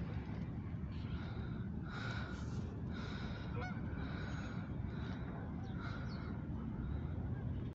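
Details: A flock of Canada geese flies over Oak Lawn and Evergreen Park, Illinois. Overlapping nasal honks come in clustered bursts, loudest early on, then scattered single honks. A constant heavy low rumble of wind or traffic runs throughout.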